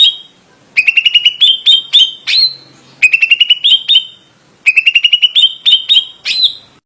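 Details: Greater green leafbird (cucak ijo) giving an insistent 'ngotot' song: a loud burst of rapid, sharp chipping notes runs into several longer, bright upslurred whistles. The phrase repeats three times, about every two seconds, with short silences between.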